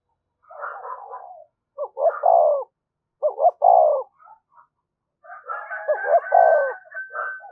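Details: Lure spotted dove delivering a methodical cooing sequence to stir up wild doves: three low phrases, each with quick paired notes and a longer coo, separated by brief murmurs.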